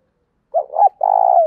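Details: Spotted dove used as a trained lure bird, giving a loud, clear calling coo: a short rounded note, a wavering second note, then a long, even, burbling coo that drops at the end, in quiet surroundings.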